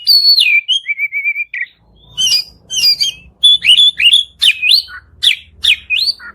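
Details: Captive white-rumped shama singing to get another bird singing: a long whistled downslur, a short trilled note series, then loud repeated rich whistled phrases with buzzy overtones; faint low hum beneath.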